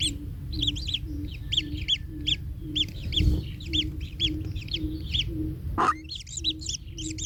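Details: Kingfisher nestling pressed under its parent: spaced, scratchy chirps in uneven bursts over a low pulsing drone, with a loud knock near the end.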